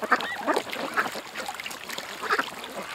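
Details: Several ducks at a creek make scattered nasal quacks, a cluster at the start and another near the end, over a murmur of quieter calls.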